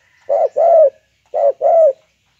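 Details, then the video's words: Spotted dove, or tekukur, praised as a very vocal singer: two low, soft coo phrases, each a short note followed by a longer rolling one, separated by about a second of silence. "SIPITAK SUPER GACOR TEKUKUR BANGGO"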